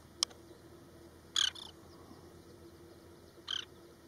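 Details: Oriental pratincole during a broken-wing distraction display at Osman Sagar, Hyderabad: three short, harsh, broadband bursts, a sharp click, then a rasping double note, and a last rough note two seconds later, over a quiet background hum.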